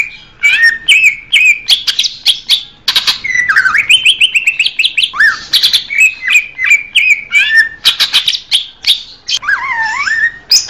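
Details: Greater green leafbird pours out a rich, rapid song of clear whistles, slurred rising and falling notes and sharp chips with barely a pause, used as therapy and lure audio.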